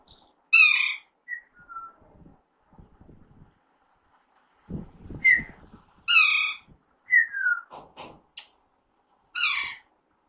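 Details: Alexandrine parakeet, young, during talking training. It gives scattered rasping squawks and quick downward whistles over ten seconds, with gaps of faint rustling and a low human voice in the middle.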